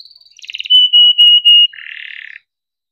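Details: Caged canary delivering a rolling chirping song meant to stimulate silent or lazy canaries to sing; a high whistle, a burst of buzzy notes, then loud steady pulsed tones and a low rattling trill.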